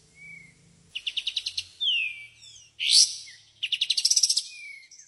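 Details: White-shouldered triller in 'tembakan' song, alternating quick runs of rapid pulsed chips with long bright downslurred whistles and a harsh rushing burst, a soft low hum at the start.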